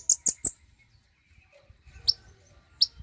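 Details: Common iora, aimed at stimulating a bird to sing: three loud, very high sharp chips in quick succession, a pause with low rumbling background, then two more separated high notes.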